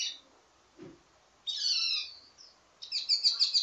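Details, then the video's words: Wambi mini songbird in ledekan style, the varied teasing song used to train other birds: a short high note, a pause, a long buzzy descending phrase, then a rapid trilled burst. "Ledekan Wambi mini Full Gacor Banyak Vareasi"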